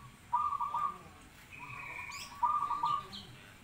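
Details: Zebra dove song: two quick bursts of rolling, stuttered coos about two seconds apart, with a higher, thin whistled note from another bird between them.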